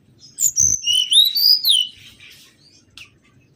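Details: Mangrove whistler lure sound: a short run of clear, loud whistled notes sliding up and down, some looping, packed into about one and a half seconds, then a faint trailing whistle over quiet background.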